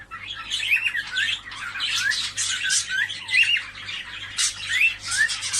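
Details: A group of cockatiels, sounds offered to stimulate mating: busy scratchy chatter with several birds calling at once, punctuated by short rising whistled slurs roughly every second over a steady low hum.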